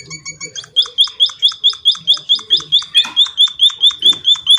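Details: Munia, described as singing very actively: a few soft chirps open, then a steady run of sharply rising whistled notes at regular intervals, with brief rustling noises partway through.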